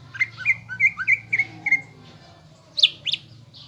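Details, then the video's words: Greater green leafbird lure song for provoking emotion and fighting mentality in caged birds. A lively run of varied slurred whistles, some rising, some dipping, ends in two harsh, loud squawking notes after a short gap. "PANCINGAN CUCAK IJO GACOR AGAR EMOSI UNTUK MEMBENTUK MENTAL FIGHTER"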